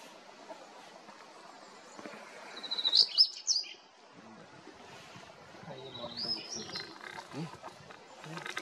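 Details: In Walong, Arunachal Pradesh, India, in December 2023, a Godlewski's bunting gives two brief bursts of thin, high, sharp call notes several seconds apart, with faint low murmuring voices in the background.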